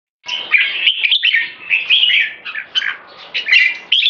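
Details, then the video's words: Caged red-whiskered bulbuls raised in Singapore, a 3.5-year-old keke champion and a six-year-old bird, in a keke singing display with open tail. Dense warbled phrases around the upper-middle register, chattering and fluid, with brief pauses. No other sounds. "Super Keke Sing Display (Red Whiskered Bulbul - Jambul)"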